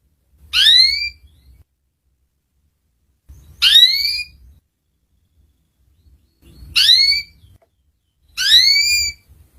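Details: Canary from a ngeriwik master song used to teach young canaries: four separate bright downward-sweeping chirps with ringing overtones, spaced two to three seconds apart, with faint low rumble between them.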